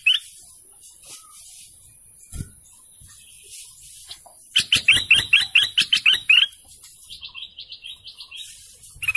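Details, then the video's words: Golden canary song: a scattering of thin chirps gives way to a loud, fast rattling trill of about fifteen pulsed notes, then a softer, higher, quicker trill, ending with a brief bright note. "GOLDEN CANARY BIRDSONG"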